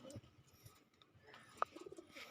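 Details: A kept domestic pigeon gives a quiet, brief call with a few soft, low cooing pulses.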